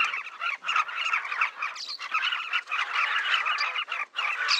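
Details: A large colony of southern carmine bee-eaters on the Luangwa River banks, observed from a hide. Busy chattering of many birds rises and falls in waves, with short pauses between bursts of overlapping rolling calls.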